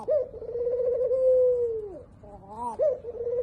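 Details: Spotted dove cooing: low, mellow hoots with a long, steady, drawn-out note that drops away at its end, followed by a short dip and a few wavering, bubbly coos.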